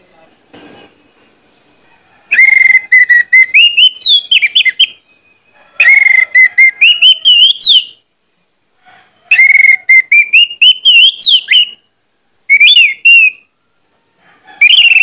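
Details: Orange-headed thrush as a provoking lure for other males; long loud phrases opening with a steady whistle then rising, twisting notes, repeated four times with short silences.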